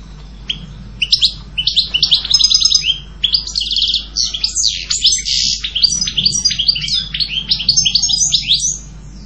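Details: Long, rich goldfinch song: rapid, tinkling twitters and buzzy trills pour out almost continuously, high and varied, with a few short breaks between busy phrases.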